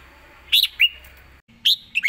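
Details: Red-whiskered bulbul singing short, sharp, bright whistled notes in two quick bursts separated by a brief gap, each with rising and falling slurs, as part of a rapid fast-beak style song.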